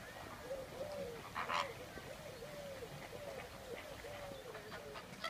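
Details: Captive Chilean flamingos at Prague zoo: a steady chatter of short, nasal, gabbling calls from several birds repeats in quick succession, with one louder harsh burst partway through and faint background murmur.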